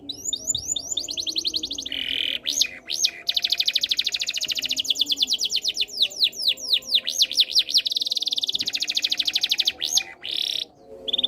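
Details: Singing canary used to stimulate other canaries: a long continuous run of rapid tours alternating dense buzzy rolls with sharp up-and-down sweeping notes. It is high-pitched and brilliant, with brief pauses near the end.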